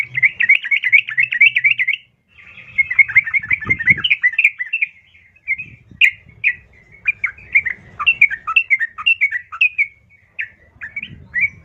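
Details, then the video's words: Yellow-vented bulbul female calling a male, played to coax captive birds into singing: a dense run of quick warbling chatter, then looser spaced chirps and slurred notes, with a low background rumble at times. "Pancingan Trucukan Betina Memanggil Jantan"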